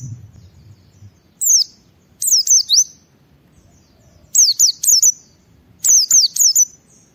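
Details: Ngalas-style white-eye song meant to stimulate other white-eyes to sing: a lone high downslurred whistle, then three clusters of three to four sharp falling notes separated by short silences, with faint low hum beneath.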